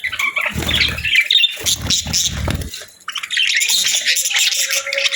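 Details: Budgies chirp and chatter in high, buzzy bursts; several low thumping sounds come in the first half, then continuous warbling follows.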